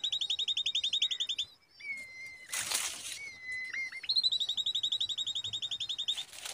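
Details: Common babbler chicks perched on a date tree: rapid rhythmic chirp trains, about six notes per second, alternate with level drawn whistles, with a brief rustling burst in between.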